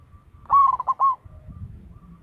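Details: Zebra dove of local stock, kept as a lure bird with a big voice, gives a single short phrase of rapid rolling coos, three or four clipped notes ending in a longer held one, then faint low background rumble.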